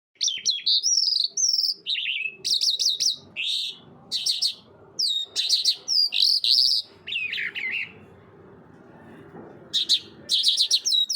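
A bright, fast songbird song of high twittering notes, quick trills and rolling phrases in bursts, with brief pauses, over a soft background rumble.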